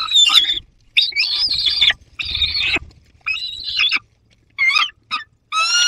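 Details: Young peregrine falcon holding prey near an adult in the Barycz Valley, 30 August 2022, giving a run of loud, grating, rasping cries of uneven length, some cracking and broken, with short pauses between them.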